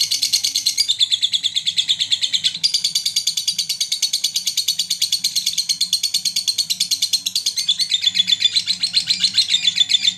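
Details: Rapid lovebird mentil chatter, a lure call meant to rouse rival lovebirds, recorded in Garut: ten seconds of dense, piercing chirps pulsing without pause, with a brief break near two and a half seconds before resuming.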